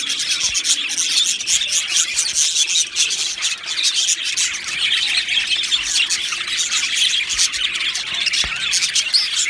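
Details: Aviary full of budgerigars, a loud unbroken flock chatter of high chirps, squeaks and warbling notes layered over one another, with one sharp click near the end.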